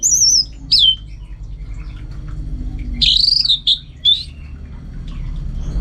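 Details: Orange-headed thrush, a caged contest bird in northern Bali, gives a few loud, clear descending whistles separated by pauses, each slurred downward, against a faint low hum.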